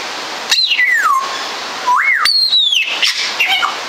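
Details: Congo African grey parrot (Psittacus erithacus erithacus) in Warsaw Zoo whistling: a falling glide, a short rising-falling note, then a long high whistle that drops in pitch, over steady hiss.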